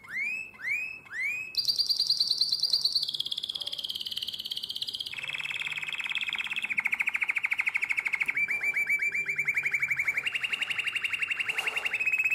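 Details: Nightingale-voiced canary song, Drama, 2017: three rising-falling whistled swoops open into a very high fast trill. The trill drops in stages through several lower pulsed rolls and buzzy tours, then returns to a high whistle.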